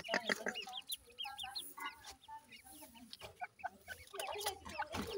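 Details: Captive-bred grey francolin chicks chirping; thin, curved peeps crowd together, softer in the middle and swelling at both ends, with faint background rustle.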